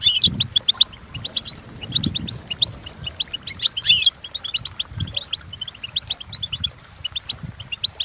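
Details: European goldfinch song used for training: rapid twittering with a strong buzzy burst near four seconds, then steady chirped notes, over soft low thumps in the background.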